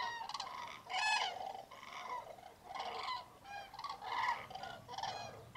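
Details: Massed common cranes at a winter roost in Tablas de Daimiel, Spain, at a freezing misty daybreak in mid-January; repeated loud, harmonic bugling bursts about every second from many birds, with geese and teals among them.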